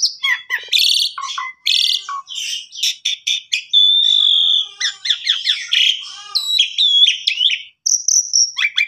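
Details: Asian pied starling song used as a master recording for training canaries: loud varied medley of harsh chattering notes, whistles, a sustained whistled note near the middle, buzzy rattles and a high clear whistle near the end.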